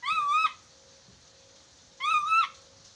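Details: Chattering lory training recording meant to make a bird talk quickly: two loud, rich harmonic calls, each a half-second rising-then-level whistle with a sharp end, spaced about two seconds apart in a quiet room.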